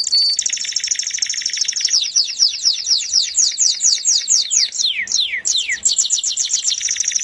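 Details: Melodious canary song made of a long stream of rapid, sharply falling high notes, slowing into wide separate swoops before a renewed dense trill.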